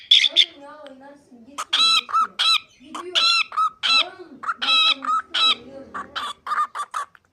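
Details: Pet cockatiel talking: a string of speech-like, harmonic syllables of varied pitch, some rising and falling, in irregular bursts, while softer low voice sounds say "cici kuş" and "babacığım".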